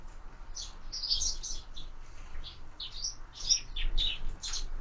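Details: At feeders fixed to a window, sparrows call with scattered sharp high chirps, some slurred downward, spaced irregularly.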